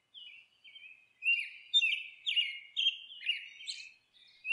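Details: Monk parakeet while nesting, soft scratchy notes building into loud grating squawks roughly twice a second, each harsh and slightly falling, ending after a short hush with one more note.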